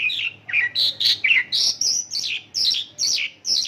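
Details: Short burst of a Mongolian lark's isian lokalan song imitating local birds: about ten quick, clear notes jumping between middle and high pitches, roughly two per second.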